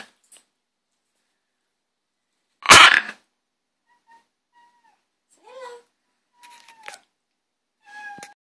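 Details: Green-winged macaw letting out one loud rasping squawk, followed by several soft, short whistled and bent tonal notes, some meow-like, scattered across the remaining seconds.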